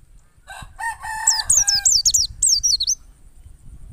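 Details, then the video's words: White-eye caught in the wild, used as a lure: a quick series of high, twisting chirps follows a lower, harsh, harmonic call from another bird that opens the clip. "PLECI NGALAS power super mantap PAS banget buat PANCINGAN PLECI agar buka paruh"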